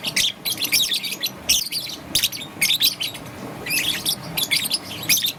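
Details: Young peach-faced lovebird, green and yellow, chirping in the morning: bursts of harsh, high chattering notes in quick clusters separated by brief pauses, with faint low room hum underneath.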